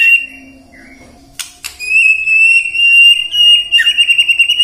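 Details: White-rumped shama song used as a lure to prompt other shamas to sing in the morning, midday and afternoon: a long, steady, high whistle that turns into a rapid pulsing trill. Two sharp clicks come before the whistle.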